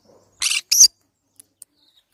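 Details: Green-cheeked conure uttering a quick pair of harsh, rasping squawks in rapid succession, followed by a few faint clicks.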